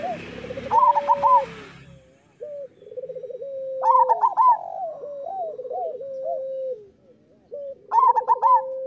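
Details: Zebra doves of local stock singing as a master track for doves that rarely sing. Bright clipped note clusters return roughly every three to four seconds between long, level, trilling coos. A brief rustle sounds at the start.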